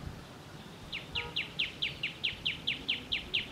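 A common tailorbird gives a fast run of about a dozen loud, sharp, down-slurred chip notes, roughly five per second, over a low background rumble.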